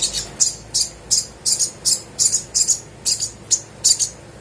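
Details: Little spiderhunter chirping to encourage silent birds to sing: crisp high notes, sometimes doubled, repeated about every third of a second in a steady rhythm.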